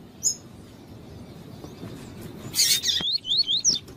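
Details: Double-collared seedeater with a female calling to stimulate the male for breeders' tournaments: a single high whistle, a quiet pause, then a harsh noisy burst followed by a quick series of zigzag whistled notes.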